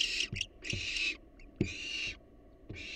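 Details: Wild barn owls in a monitored nest box give long, rough, hissing screeches, each lasting about half a second to a second. They are separated by short gaps, with brief thuds and scrapes as each one starts.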